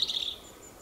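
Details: A singing European robin (Erithacus rubecula) gives one brief, high, thin warbled phrase lasting about a third of a second, then fades into faint background hiss.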